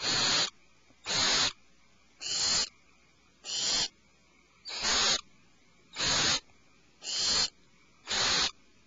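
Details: Owlets alarmed in a nest cavity produce eight hoarse, hissing screeches over nine seconds, a regular series of noisy bursts.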